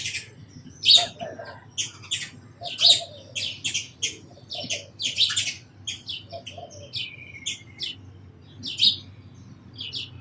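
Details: Sparrows calling with separate loud, sharp chirps spaced irregularly, plus a brief rolling trill near the middle, over quiet background.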